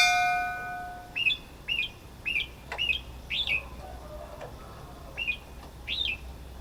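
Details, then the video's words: Red-whiskered bulbul calling: a series of short, bright, inflected chirps repeated roughly every half second, rising then dipping in pitch, against a quiet background with a low steady hum. "Red-whiskered bulbul sound"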